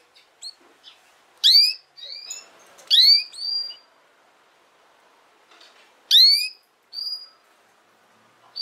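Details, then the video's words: Canary heard for teaching young canaries their song: loud, sharply rising chirps with overtones, three main ones, spread between softer whistled notes and long quiet gaps. "Chant De Canari Pour Apprendre Au Jeune Canaries"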